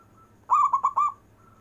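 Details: A single short burst from a local zebra dove singing long-breath coos: four fast, linked, mid-pitched notes over about half a second.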